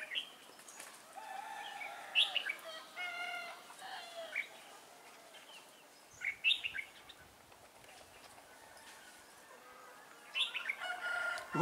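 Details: Trainee decoy red-whiskered bulbul singing during a trapping session on 11 December 2016; brief lively warbled phrases recur every four seconds or so, with softer chirps between them and a low rustle near the end.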